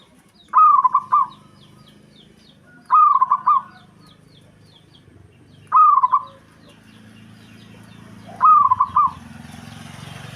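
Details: Local zebra dove in breeding condition, singing to rile a rival: four clear cooing phrases, each a bright opening note then rapid rolling stutters, repeated roughly every two and a half seconds over a soft low hum.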